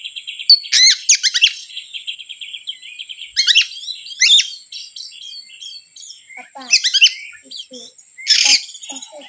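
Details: Oriental magpie-robin singing as a provocation lure. Rapid rattling chatter and steep down-slurred notes come in clusters, with scratchy bursts and quieter warbled phrases between them. A faint constant high whine runs underneath.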